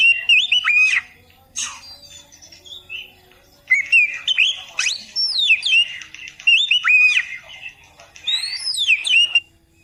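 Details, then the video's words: Master training recording for beginners of an oriental magpie-robin: repeated loud bursts of looping whistled phrases with high sweeping slurs, separated by brief silences. "masteran Burung Kacer Khusus Pemula"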